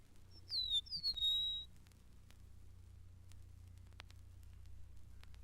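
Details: Eastern Meadowlark living on the grassy fringes of the Mountain Lake Sanctuary, its far-reaching call carrying across a broad territory: two clear, high, slurred whistles sliding downward, followed by a quiet low hum.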